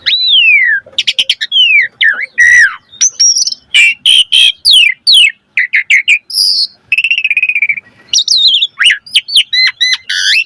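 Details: Jalak suren, the Asian pied starling, singing energetically in a varied fill-in style meant as a training lure: long falling whistles, clusters of clicks, harsh rasping bursts and wavering high notes with hardly a pause.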